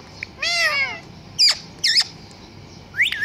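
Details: Parrot imitating a cat's meow: a drawn-out, wavering, descending meow-like call, then short upswept squawks and chirps over a low, constant background hum.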